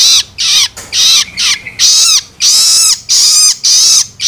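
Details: Young long-tailed shrike giving loloan begging calls to stimulate adults: loud scratchy, hissing notes with falling undertones, repeated quickly and somewhat unevenly.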